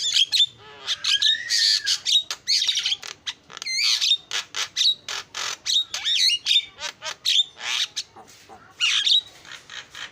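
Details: Long starling lure song billed as champion chirping: a sustained series of sharp clicks, chattering rasps and bright slurred whistles, including a drawn-out low whistle early on, repeated in quick bursts throughout.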